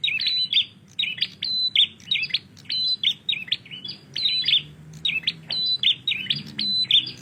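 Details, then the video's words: Prinia, known locally as prenjak, singing in full lively gacor style: rapid, sharp chirped notes in quick, uneven bursts, several phrases a second sustained throughout, over a faint low background hum "Prenjak Gacor"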